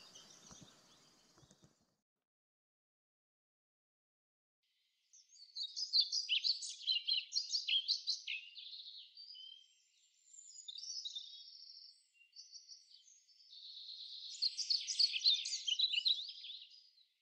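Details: Male European pied flycatcher singing in spring to mark territory in tall old woods; clean, high-pitched phrases of quick, sweet, rhythmic notes delivered in three or four strophes separated by short pauses, with a quiet background.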